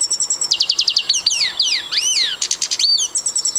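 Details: Siberian goldfinch song: a fast series of bright tinkling chirps, then buzzy trilling and a pair of swooping slurred whistles, closing with further quick twitters.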